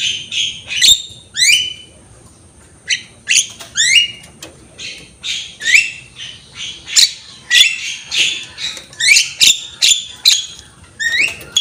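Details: Javan myna in lively head-bobbing song, recorded to train other birds; short upswept whistles and rasping notes come in separate bursts, about one every half second, with sharp clicks between.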